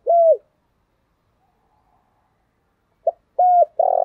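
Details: Spotted dove stimulating newly caught doves toward the thổ singing style: a single clear downward-bent coo, a long silence, then a short note, another coo and a buzzy coo cut off at the end.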